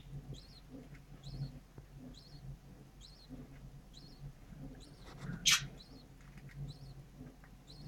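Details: A breeding budgerigar with eggs and chicks in Ankara gives thin, high chirps steadily about twice a second over a low hum, with one sharp click near the end.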